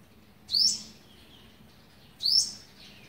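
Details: Two piercing, rising chirps about 1.7 seconds apart from an olive-backed sunbird, recorded on 27 November 2019 during the eleventh day of feeding its young, against low background hiss.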